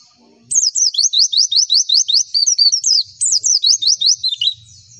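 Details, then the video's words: Pleci (white-eye) tutoring song to provoke answers: after a quiet start, a steady string of rapid, sharp, high downslurred chips, roughly three per second, with a brief pause midway. "MASTERAN AMPUH PLECI, Klik sekali semua pleci pasti nyaut"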